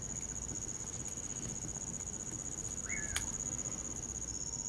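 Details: One brief rising-then-falling whistle from a common pauraque on a winter night, heard against a steady high cricket drone and a single sharp crackle from the campfire.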